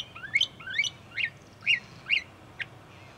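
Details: At Cape May Point, New Jersey, USA, a Northern mockingbird sings from bushes next to a parking lot, repeating a rising, sweeping whistled note about every half second, ending with a short sharp chip.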